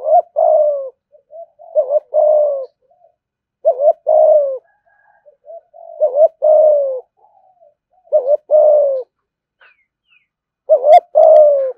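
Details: Caged spotted dove in steady thúc gù cooing, about six phrases at roughly two-second intervals. Each pairs a short wavering coo with a longer, mellow, falling one, and quiet soft coos lie between.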